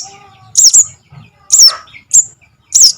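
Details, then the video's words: High slurred squeals of a Javan cuckoo chick, known locally as sogon or sogok ontong and used as a trapping lure, come in a double note and then three single calls, with faint lower whistles. "SUARA ANAKAN BURUNG SOGON - SOGOK ONTONG"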